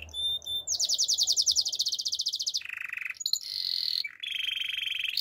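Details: A Waterslager canary sings its training song, a fast rattling high trill followed by lower rolled trills and steady buzzy tours at changing pitches.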